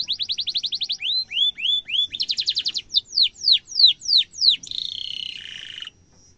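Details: Canary song for tutoring young canaries: a rapid even trill, a few rising whistles, a second quick roll, then slow falling slurs and a closing harsh buzzy rattle.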